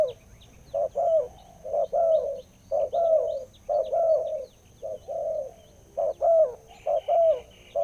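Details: Spotted dove with a notably big voice cooing in paired low notes, a clipped coo followed by a longer falling one, repeated roughly every second; a faint high whine continues throughout.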